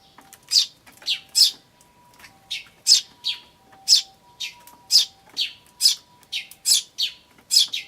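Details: Eurasian tree sparrows and chicks, 10 May 2013, ivis; chicks 'chi chi', adults 'chun'. Busy chirping, notes often doubled, coming two or three per second.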